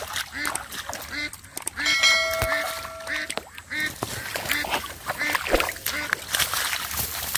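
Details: Ducks quacking at the water's edge as a boy catches catfish by hand in mud in a rural village; a regular run of short nasal quacks, with a human voice and a thin tonal whistle partway through.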